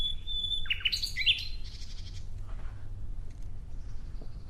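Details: Nightingale singing: a short high whistle, then a quick run of sharp, buzzy chirped notes about a second long, fading into quiet, faint background hiss.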